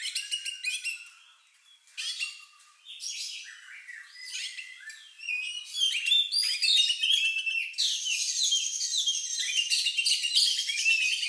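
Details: Oriental magpie-robin (kacer) giving a strange, lovebird-like song used to stir other birds to sing: dense rapid chirps and twittering, growing louder and busier into a continuous high chatter.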